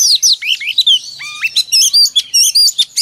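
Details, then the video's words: Dense, loud song of a female oriental magpie-robin, used every morning as a lure to prompt males: swooping whistles, rising slurred notes and rapid repeated chirps follow each other without pause. "Kích choè than trống cực căng mỗi sáng | Choè than mái mồi quá hay"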